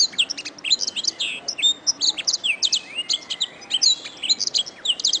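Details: Canary master song for teaching other songbirds. Continuous high warbling mixes rapid trills, downward-sliding whistles and crisp repeated chirps, with almost no background noise.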